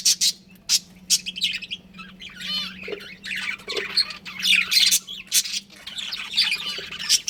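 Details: Pet budgerigar breeding pair mixing sharp high chirps with rough, buzzy squawks and warbling chatter in irregular bursts over a steady low hum.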